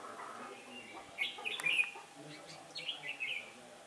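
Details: Decoy red-whiskered bulbul singing during trapping on a windy day, 15 October 2017: a rich warbling whistled phrase, a brief sharp tap, then a second fluid descending phrase, light background noise.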